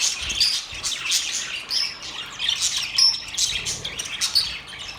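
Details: Budgerigars twitter and warble together, a dense high chorus of chirps with a few clear whistled notes rising above the chatter.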